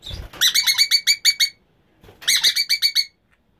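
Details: Emma's conures from a breeding pair chattering in two bursts, each roughly a second of eight or so quick, rasping notes, separated by a pause; a brief low thump opens the recording.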